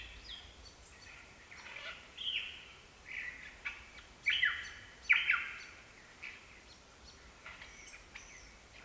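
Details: Superb lyrebird song from Gibraltar Creek, ACT: a varied burst of chirps, clicks and bright whistled phrases, loudest in the middle, against quiet natural background noise.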